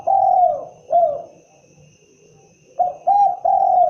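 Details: Spotted dove cooing: two low, mellow hooting notes close together, a pause of about 1.5 seconds, then a quick run of three soft coos, the last drawn out. Quiet background.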